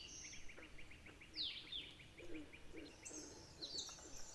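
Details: Alder flycatchers in Maine, a pair defending territory against another alder flycatcher: a fast series of short, even chips, then a sharp high note sliding downward, with later thin high calls over a low background hum.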